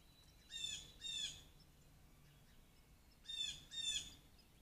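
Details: Blue jays coming to peanuts at a deck on 13 May 2024, caught by trail cam, give harsh, nasal 'jay' screams in two quick pairs about three seconds apart over a faint steady hiss.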